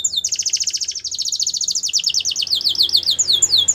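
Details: Yellow Belgian canary singing, described as in the wild: a fast, steady, high rolling trill of rapid repeated notes that slides slightly lower and becomes more zigzagging toward the end.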